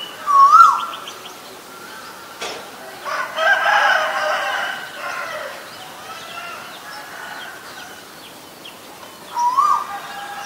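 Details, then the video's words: Male Asian koel giving a loud, rising whistled 'ko-el' at the start and again near the end, with a rooster crowing in between. "นกกาเหว่าตัวผู้ (Asian koel, Male)"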